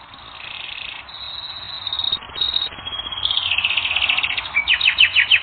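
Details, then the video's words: Canary song from a training recording, opening with buzzy, rattling rolls and steady held tones, then breaking into quick, separate descending chirps that grow louder toward the end. "Canary Training Recording - 1 Hour"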